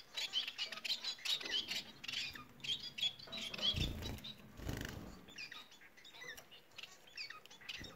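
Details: Bengalese finch song: lively high chattering and squeaky trills in the first half, fading to scattered thin notes, with low thumping sounds midway.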